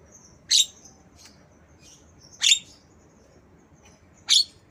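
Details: Black-winged myna copying a lovebird gives loud, shrill, squeaky chirps roughly every two seconds. Softer, thin high squeaks are scattered in the gaps.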